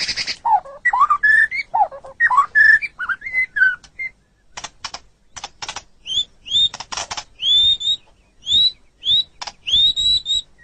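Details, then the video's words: Pet white-rumped shama (murai batu) on a masteran song-training track. Warbling low whistles give way to dry clicking notes, then a series of clear, high, upslurred whistles repeated with short pauses. "MASTERAN GACOR - Suara Burung Murai Batu"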